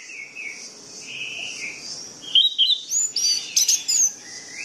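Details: Orange-headed thrush song used as a lure to get sluggish, silent birds singing: after a quiet start, loud bright whistled phrases with rapid slurred notes, over fainter distant whistling and a steady high insect-like hiss.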